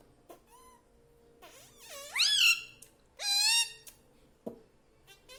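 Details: Talking pet parrot mimicking "mummy papa": a few drawn-out, nasal, speech-like syllables with swooping pitch, separated by quiet gaps, over a faint steady hum and an occasional click.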